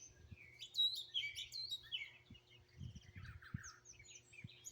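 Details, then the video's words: Birds singing in Greenville, South Carolina, straight from a phone: a loud clear whistled phrase opens, followed by softer overlapping chirps and trills, with faint low knocks. "Bird Chirping Sounds"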